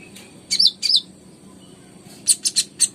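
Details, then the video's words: Kolibri ninja, or brown-throated sunbird, singing energetically as a lure for silent birds: two high, buzzy trilled notes, a pause, then four fast sharp high chirps, with a faint low background hum. "PANCINGAN KONIN GACOR"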